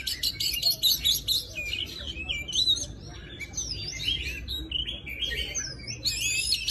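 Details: A young Oriental magpie-robin, trapped and being trained toward a wild-type song, sings a rich, varied song of clear whistles, slurred rising and falling notes and scratchy chatter, high-pitched and continuous, over a low background hum.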